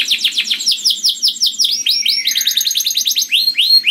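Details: Canary in full loud, melodious song used to attract other canaries: rhythmic downslurred whistles gradually accelerating into a rapid rolling trill with high tinkling notes.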